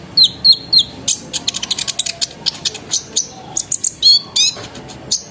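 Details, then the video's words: Sunbird singing vigorously as a lure to set other sunbirds singing: three sliding whistles open, then a fast chattering run of high chips, ending in more thin downslurred whistles. "PANCINGAN KONIN NGERIWIK NGEROL NEMBAK GACOR BIKIN KONIN LAIN IKUT BUNYI"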